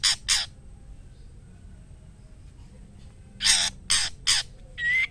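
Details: Female White-rumped shama calling a male to mate, giving two harsh scratchy bursts, a long silence, then three more rasping notes and one brief rising whistle at the end.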